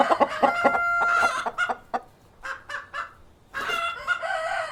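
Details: Cockerel and hens on a farm: a sustained crow over clucking, then short separate clucks, a pause, and a loud harsh cackle closing the sequence.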